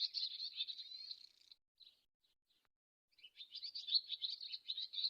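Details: Swallow giving rapid, buzzy twittering chirps in two bursts separated by a short quiet gap with a few soft notes, with no background noise.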